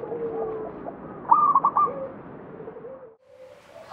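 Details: Zebra dove of local stock singing at Candi Rimbi, Jombang, Indonesia: a stuttering burst of four quick cooing notes, then softer low coos trailing off, with constant background noise.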